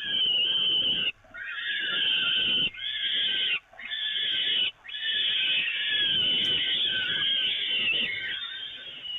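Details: Peregrine falcons at the Evoluon nest during feeding from the grating, 13 May 2018: harsh, drawn-out screeching calls, long rasping bursts broken by three short pauses, with a grainy background hum.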